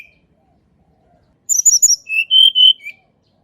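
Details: Sunda robin singing in its natural voice, meant to lure birds that rarely sing; a burst of sharp, high, falling whistles, then three or four lower drawn-out whistles.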